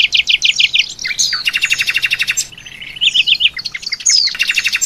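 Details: Oriental white-eye training song for songbirds, packed with fill phrases modeled on other birds such as jalak suren and canary: fast, loud, high chirps and rapid trills, with sweeping whistles and dense twittering phrases running continuously.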